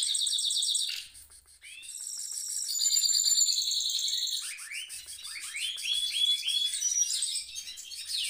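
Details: A goldfinch mule in its cage sings a rolling song, opening on a rapid pulsed trill, dropping briefly, then resuming with fast repeated notes, whistles and a series of upslurred chirps.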